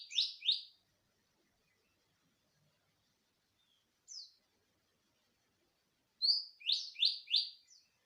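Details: Greater green leafbird singing as a lure to get other birds singing; paired then tripled emphatic downslurred whistles, one isolated high note midway, clean silent gaps between phrases.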